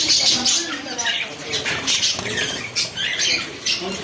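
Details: A pet budgerigar, described as happy, chatters in quick, scratchy bursts of high warbling notes.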